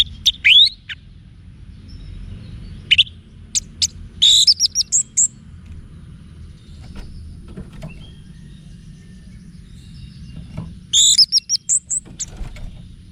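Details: Orange-headed thrush in 'wiksar' style song, played to train caged thrushes to respond as bold fighters: bursts of sharp high whistled and chirping phrases near the start, around three to five seconds and again after eleven seconds, with quiet gaps between.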